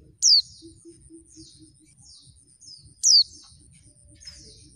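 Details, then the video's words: Female oriental white-eye lure call: two high, falling whistles about three seconds apart, with faint twittering and soft low background noise between them. The call gets males to answer quickly. "suara pleci betina bikin ombyokan cepat ngalas"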